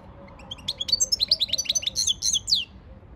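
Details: Training song of a European goldfinch: a lively burst of sharp, tinkling twitters and rising-falling chirps lasting about two seconds.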